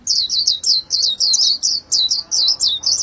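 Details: Japanese white-eye repeating loud, high slurred chirps about three times a second, each note bending up and down in a steady rhythm.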